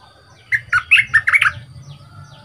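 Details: Two-month-caged young bulbul being trained as a decoy, noted for a big voice, gives one rapid phrase of five or six bright, sliding whistled notes lasting about a second over a low background hum.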